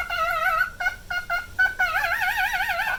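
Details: Male cockatiel, nine years old, kept as a pet, singing with vibrato: long wavering whistled notes alternate with short clipped repeated toots, ending in a sustained trembling tone.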